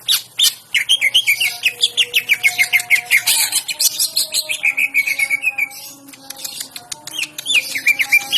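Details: Greater green leafbird (Chloropsis sonnerati) in full high-energy song showing off its mimicry repertoire: loud, rapid sharp chirps and bright whistled notes in fast, varied bursts with mimicked phrases, over soft lower tones.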